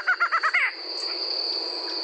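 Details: Barred Antshrike from Brazil giving a quick run of five loud, clipped nasal notes that end abruptly, followed by quiet background with a steady high-pitched insect hum.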